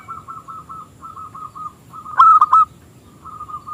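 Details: Song of a local zebra dove with a small, crystal voice, used to lure rival doves into song. Soft rapid trilled phrases give way to a louder burst of three ringing notes, then a faint trill again.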